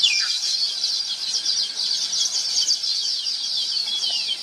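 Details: Baya weaver birds, Thookkanam Kuruvi in local speech, keep up an unbroken high-pitched twittering and wheezing, with a drawn-out falling squeal near the end; captured on a Nikon P1000 camera.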